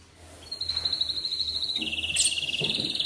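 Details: Atlantic canary singing in the morning to prompt other canaries to sing: a sustained high thin whistle, then a lower rapid rolling trill, with a short sharp note in between over faint low hum.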